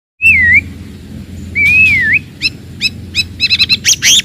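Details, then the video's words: Wild forest white-rumped shama singing loudly and aggressively to provoke rivals: clear whistled phrases, a rising-falling slur then a second longer slur, followed by rapid repeated sharp notes and quick warbled bursts, with a low steady hum beneath. "KICAUAN MURAI BATU HUTAN, VOLUME KERAS, AMPUH MENAIKAN EMOSI LAWAN"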